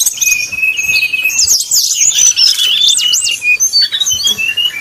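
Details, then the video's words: Brown-chested jungle flycatcher fluting song played to provoke rival birds; a steady thin whistle gives way to fast twittering and a pair of arched, swooping notes, then scattered chirps. "srdc nyuling bikin lawan jadi panas penuh emosi pancingan srdc tercepat bikin srdc cepat ngeplong"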